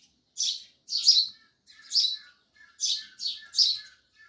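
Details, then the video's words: Sparrows give loud, clipped high chirps, six strong notes in about four seconds, mostly in pairs, with faint lower twitters between them. "Sparrows Loud Chirping Sounds"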